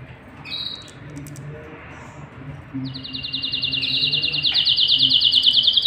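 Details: Canary male and female at the nest where chicks are fed; after a few scattered chirps and quiet, a rapid high trill begins and swells steadily louder to the end.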